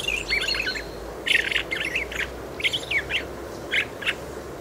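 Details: Quiet muttered subsong of a Fieldfare, the kind given in autumn and sometimes on sunny winter days: a run of scratchy, twittering chirps in irregular bursts, a brief phrase then several clustered notes, over soft ambient noise.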